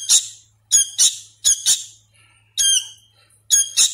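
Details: Hand-fed sooty-headed bulbul chick, still learning its sounds, giving loud harsh squeaky calls, single or in quick pairs, roughly once a second, with brief pauses between bursts indoors.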